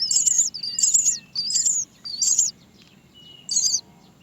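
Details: Great myna nestling crying for its mother to feed it at the nest: loud harsh high chirping bursts, about half a second each, in a rapid series of four, a pause, then one more.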